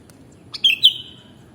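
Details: Brief two-part whistle from a sooty-headed bulbul: a sharp downslurred note, then a louder clear one that trails into a fading tone, against a soft low hum.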